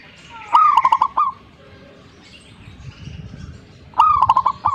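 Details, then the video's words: Zebra dove in active song: a sharp opening note, then a rapid series of bubbling coos closing with a rolled note. The phrase repeats after about three seconds above soft background murmur. "gacornya perkutut ini"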